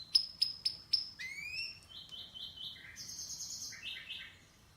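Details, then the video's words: Canary chirping: four sharp clicking notes, then rising whistles and steady bursts of rapid repeated trilled phrases at shifting pitches. "Canary's voice A very beautiful canary's chirping canary's voice"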